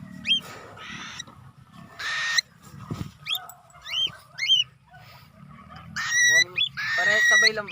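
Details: A cockatiel during its first free flight gives a run of short, high, upward-hooked chirps in quick succession, amid rustling and thumps, followed by a long rising human-like whistle and other flat whistled notes.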